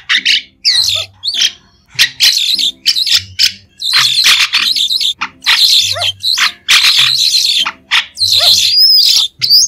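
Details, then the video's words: White-shouldered starling song without background noise: choppy bursts of harsh, buzzy chatter and clicks, becoming denser toward the end with a looping whistled note. "Tiếng chim Sáo đá trung quốc không tạp âm | White-shouldered Starling"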